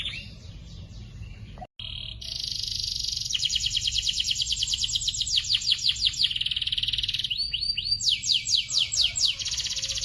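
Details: Master recording of young canaries. A brief gap gives way to long, high rattling trills, then looping whistled notes and a pulsing buzzy roll repeated several times a second.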